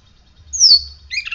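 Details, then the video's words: A caged oriental magpie-robin after morning sunning and dew therapy gives one clear whistle gliding down from very high pitch, then a quick chirpy twitter. "Kacer gacor hasil rawatan jemur pagi dan embun pagi ini buktinya"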